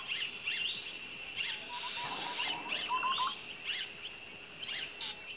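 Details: Common myna with chicks in the nest, giving scratchy chirps repeated several times a second, plus a brief series of lower, wavering notes. A continuous high-pitched background drone runs under the calls.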